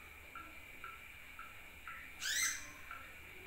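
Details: Sunbird lure call used to attract other birds: brief rising chirps repeat roughly every half second, broken once by a louder, harsher upward-sweeping burst of ringing notes, over a steady faint hiss.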